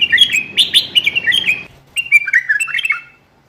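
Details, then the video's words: Bulbul giving a motivational song for qafla bulbuls. Two bubbly, whistled phrases of rapid rising and falling notes, each lasting one to two seconds, with a brief pause between them. "تغريد تحفيزي للبلابل القافلة ترديد صوت البلبل"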